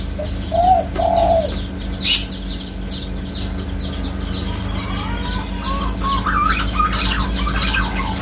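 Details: Spotted dove opening with one two-coo phrase, soft and rounded, then a sharp click, followed by a busy stretch of high falling chirps and mid-pitched chattering calls from other birds.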